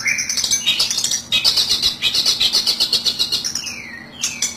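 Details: Long-tailed shrike lure call used to attract birds for trapping: a loud, harsh, high chattering of rapid rasping notes, about four per second, ending with two downslurred whistled notes.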